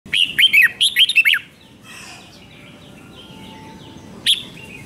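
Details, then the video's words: Red-whiskered bulbul song from Thailand, a 5-syllable song with doubled phrases played for young birds to copy: one rapid burst of bubbly, looping whistled notes, then quieter distant warbling and a single sharp note. "เสียงนกกรงหัวจุกเบิ้ล2 เบิ้ล3 เพลง 5 พยางค์"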